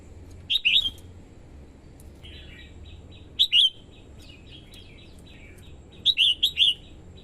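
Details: Singing female red-whiskered bulbul, used to stimulate males and lure wild birds, gives bursts of quick, bright whistled notes in groups of two to four. Softer warbling runs between the bursts over a faint background hiss.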